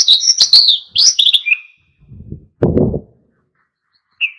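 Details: Oriental white-eye singing energetically to stir other birds into song: fast high twittering and chirped notes for a second and a half, then soft low thumps and rustling, and one short high chirp near the end.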